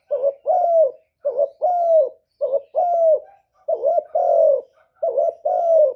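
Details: Lure call of a spotted dove for attracting wild doves: five mellow double coos in quick succession, each a short quavering note leading into a longer falling one, delivered at a brisk, even pace.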